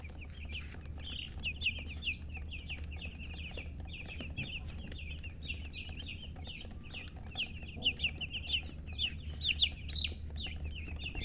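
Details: Many baby chicks peeping at once: a dense, fast stream of high, short downward-slurred chirps, overlapping and uneven, with a steady low hum underneath.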